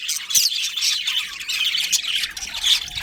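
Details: Colony budgerigars, including a breeding pair, keep up a dense, unbroken warbling chatter of thin chirps and rasping squeaks from many birds calling together.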